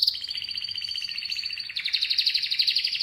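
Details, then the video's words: Canary singing a loud continuous rolling trill of fast repeated high notes, stepping slightly higher in pitch partway through and carrying on without a break. "Canary's voice A very beautiful canary's chirping canary's voice"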